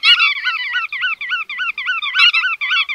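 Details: Continuous rolling, wavering nasal calls from bar-tailed godwits, each note bending up and down, closely spaced into an unbroken chatter with two sharp clicks.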